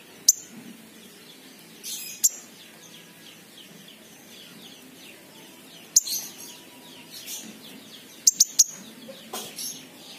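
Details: Olive-backed sunbird recording used as a lure to prompt sunbirds that are reluctant to sing: sharp, very high, thin chips and short buzzy bursts in scattered clusters, with a faint twittering background.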